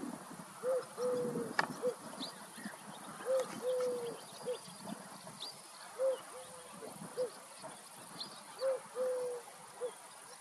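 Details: Streptopelia dove recorded at Walshofen, between Schrobenhausen and Aichach, coos in a three-note phrase, short, long, then short, repeated about every three seconds, over a soft background hiss.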